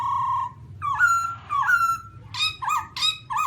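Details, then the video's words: Black-throated laughingthrush (Garrulax chinensis) with a level whistle, warbled overtone-rich phrases, then loud harsh rasping bursts alternating with short upslurred whistles; steady low hum throughout. "Black-throated laughingthrush (Garrulax chinensis): Funny Sounds And Funny Dances"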